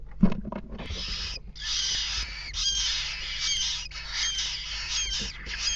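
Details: Western jackdaw parents feeding their chicks in a nest box at 19:00 on 3 May 2017; a continuous hoarse, wheezy chorus of begging from the young, with soft thumps and rustling in the box.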